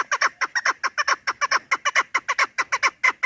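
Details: Loud, evenly paced chuk-chuk notes of a chukar partridge, each a harsh downward-sliding cluck, repeated about twice a second throughout, clean background. Recording made for partridge hunting.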